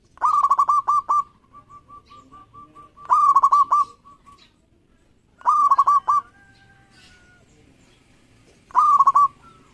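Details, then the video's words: Local zebra dove in strong song, provoking rivals to respond: four short bursts of rapid, rolling coos, with faint, softer repeated coo notes and a drawn-out tone heard between the bursts. "Perkutut Lokal Gacor Respon Cepat Bikin Lawan Langsusung Bunyi"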